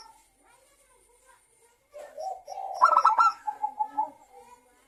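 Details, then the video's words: Zebra dove lure song for local and Bangkok doves: after near silence, a single rising burst of quick clicking notes fading into a string of soft, bubbling coos. "Pancingan perkutut lokal agar bunyi dalam 1 menit perkutut lokal dan Perkutut bangkok langsung GACOR"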